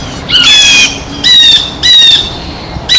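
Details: Blue jay at a feeder, feeding: three loud, harsh, nasal squawks of about half a second each, spaced under a second apart, with a fourth beginning as the recording cuts off.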